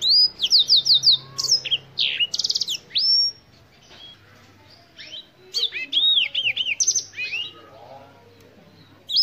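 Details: Two bursts of Black-throated canary song: quick repeated rising whistles, buzzy trills and slurred downward notes, with a quiet gap between them and a soft low hum in the background.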